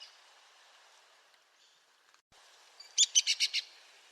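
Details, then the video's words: Arizona woodpecker, a species of southern Arizona, New Mexico and western Mexico: after a quiet start, a quick run of five sharp, harsh, high notes near the end, evenly spaced and loud. "Arizona Woodpecker Sounds"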